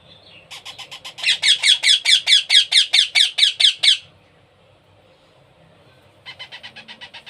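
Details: Baby parrot being hand-fed indoors, giving rapid harsh squawking pulses repeated a little over twice per second in a steady burst of about three seconds, then a pause and a softer, quicker run of similar pulses.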